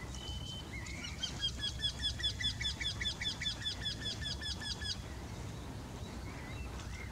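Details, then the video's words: Two Eurasian wrynecks singing in the same tree: a rapid, regular series of about twelve nasal, whining notes over roughly four seconds, steady in pitch, with a loud low rumble of wind or traffic throughout and other faint birds. "Göktyta sång. Wryneck Song. Wendehals Gesang"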